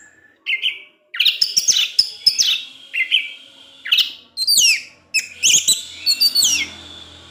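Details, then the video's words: Teler-style afternoon song of an orange-headed thrush, meant to provoke others of its kind: lively mix of chirps, sweeping downward slurs and quick warbled phrases, delivered in bursts with brief gaps. "Anis Merah Teler DiSORE HARI, Kicauannya menggoda ANIS MERAH yg lain. sehingga ANIS MERAH terpancing"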